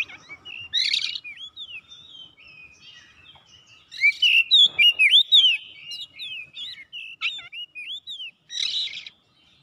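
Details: Oriental magpie-robin in full song while seeking an opponent: varied looping whistles and slurred notes mixed with two scratchy bursts, building into a loud, rapid string of rising and falling whistled notes.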